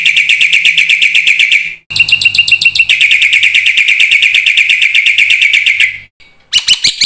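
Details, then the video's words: Energetic black-winged myna song in 'isian' style: long unbroken bursts of rapid, grating repeated notes, several per second, separated by short pauses, with a low electrical hum in the background. "suara burung jalak putih GACOR FULL ISIAN"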